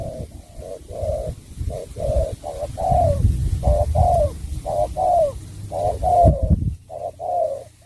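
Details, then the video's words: Spotted dove delivering bau bach de style song, with soft paired hoots, short then long and falling, repeated in quick succession against a steady low hum. "Tuyệt phẩm sắm bầu bạch đề"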